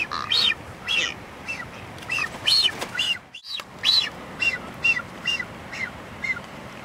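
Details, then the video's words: Blue-footed booby dancing: a run of brief, high, arched whistles, louder at first and fading later, spaced irregularly with a short gap midway. "Blue-footed Booby dance"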